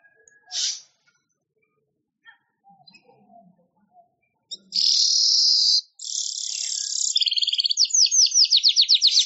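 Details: Weaver (manyar) song for training songbirds: a lone high note, a quiet pause, then a long hissing buzz that runs into a sizzling trill and ends in quick, downward-sweeping clicks.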